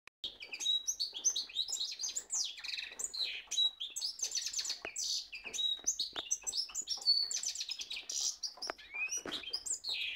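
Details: Cock goldfinch mule, a kept hybrid singing in full song: a rapid, continuous run of bright twittering phrases, chirps and short clear whistles, high-pitched and varied, with barely a pause over ten seconds.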